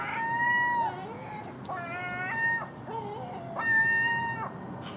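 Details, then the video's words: Early-morning common gulls squabbling over garbage left out at a house, magpie and crow nearby; a run of sustained, flat, nasal mewing cries, some with short dipping notes between them, steady background hum. "Common Gull Magpie and Crow making noise at early morning"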